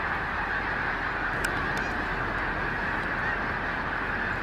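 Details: Snow Geese, Arctic migrants wintering in Delaware, flying en masse around Gordon's Pond on a gray late-December day. A constant, dense chorus of honks fills the air, broken only by a couple of faint clicks.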